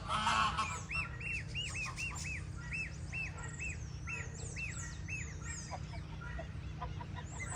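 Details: Gosling peeps in quick arched notes for several seconds, then the calls thin out. A loud burst opens the recording, with high bird chirps and a low hum throughout.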